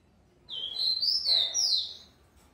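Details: Song of a captive-bred rufous-collared sparrow, described as very fast: a single high whistled phrase of rising and falling slurred notes, lasting about one and a half seconds.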